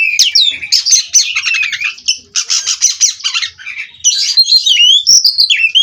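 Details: Captive Oriental magpie-robin (kacer), Cirebon strain, in endless ngerol rolling song: bright whistles and dense buzzy chatter pour out in long bursts, broken by brief pauses.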